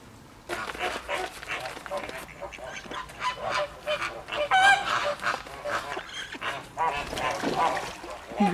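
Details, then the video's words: Flamingo flock at Llanelli Wetland Centre, Wales, recorded 21 August 2021: after a quiet first half-second, dense loud goose-like honking begins, many birds overlapping in a continuous chattering din. "Noisy flamingos"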